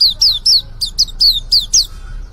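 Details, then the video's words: Young white-eye just beginning to sing: a run of about eight short, high, downward-slurred whistled notes, evenly spaced and fading out near the end, over faint low background hum. "suara pleci muda mulai buka paruh"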